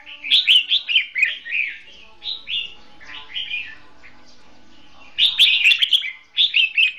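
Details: Red-whiskered bulbul decoy singing competitively to lure birds into a trap; fast bursts of sharp chirped phrases, a calmer middle, then an intense chattering run at the end.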